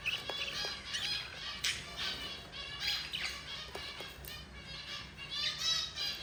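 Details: Yellow mother budgerigar feeding her four babies: busy, high, rasping chirps and twittering notes tumble over one another in a steady stream, broken by occasional brief louder squeaks.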